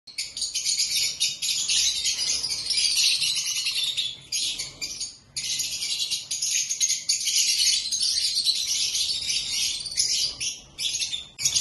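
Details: Black-masked lovebirds keeping up a dense, continuous high-pitched twittering chatter with shrill overlapping chirps, pausing briefly twice before resuming.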